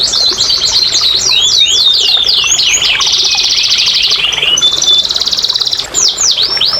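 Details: Canary song meant to coax silent canaries into singing, opening with quick descending whistled slurs, then a dense buzzing roll, a steady high trill, and closing with clear downward sweeps.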